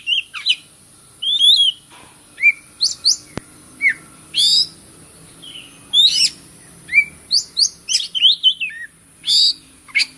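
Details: Oriental magpie-robin song used as a lure to stir silent birds into singing: varied whistled notes, rising and falling slurs and sharp harsh bursts in irregular phrases, with short pauses and a steady faint high hiss behind.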